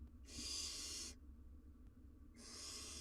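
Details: Wild barn owl owlet on a live cam, struggling to eat a huge jird: two harsh, breathy hissing screeches about a second long, separated by a quiet pause, over a low steady hum.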